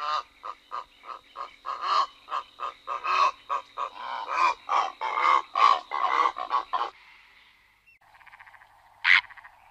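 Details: Purple heron recorded in June 2011 in the Ebro Delta Natural Park, Tarragona, Spain: a long run of harsh, croaking notes repeated about once a second, then a lone rasping call after a pause, over a steady marsh hum.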